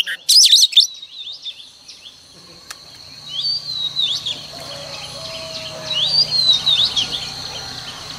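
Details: Female oriental magpie-robin singing, a morning song used as a lure to spur males into singing: a loud burst of sharp, warbled whistles opens, then softer rising and falling whistled phrases continue over a steady high background hum.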